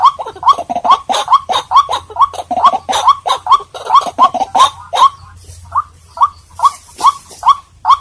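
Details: Lure recording of a White-breasted waterhen: dense, rapid croaking notes at first, then thinning after five seconds into evenly spaced single harsh calls with a slight upward inflection.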